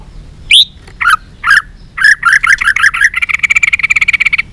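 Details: White-rumped shama in fighting song, flicking its tail: separated buzzy notes that quicken into a fast, even rattling trill.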